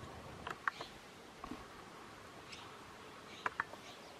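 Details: Rufous-capped warbler (Basileuterus rufifrons) at Hunter Canyon, Cochise County, Arizona, 25 April 2015, giving sharp, dry chip calls, scattered irregularly and often paired, over a soft steady background hiss.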